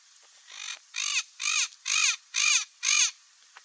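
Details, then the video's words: Harsh, grating squawks from a parrot, six in a steady series about two per second. Each is strongly harmonic and nasal, with a faint soft hiss between the calls. "PAPAGAIO CANTANDO - O SOM DO PAPAGAIO - BARULHO DE PAPAGAIO - Canto do Papagaio"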